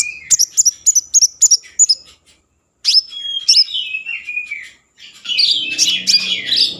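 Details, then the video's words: Common iora in full song, played as a lure to stir breeding mood and prompt other ioras to sing: a quick series of sharp high chirps, then a pause, then sliding whistled notes falling in pitch and a burst of buzzy twittering. "Konin gacor Mambangkit kan Birahi || pancingan konin agar bunyi"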